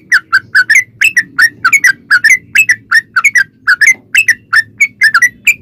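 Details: Sooty-headed bulbul song played as a lure to set other bulbuls singing, steady series of short bubbly whistled notes in twos and threes, faint low hum beneath.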